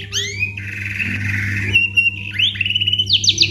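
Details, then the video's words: Energetic white-rumped shama song in full isian style, meant to coax other birds into singing: upward-curving whistles, a sustained buzzy note, then quick rising slurs and a fast trill, with faint hum beneath. "murai batu gacor full isian"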